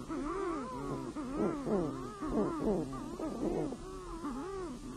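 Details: Night chorus of sooty shearwaters (titi) in their burrows on Rangatira island: several birds give moaning, wailing calls in overlapping bursts about once a second, the voices rising and dipping in arcs.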